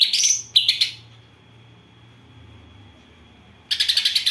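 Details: Greater green leafbird song with gereja and kapas tembak imitations: a harsh, buzzy chatter, then quick scratchy chips, a quiet gap of almost three seconds, then renewed rapid chattering.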